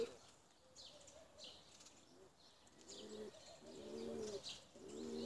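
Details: Domestic tumbler pigeons coo: after a quiet, noisy start, low rolling coos build up in the second half, several overlapping.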